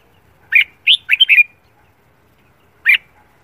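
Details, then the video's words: Red-whiskered bulbul in training for singing competition, morning song: a lively phrase of four or five chirpy whistled notes, then after a pause of about one and a half seconds a single sharp note. "Luyện giọng chào mào hót sáng, chào mào hót thi đấu cực căng"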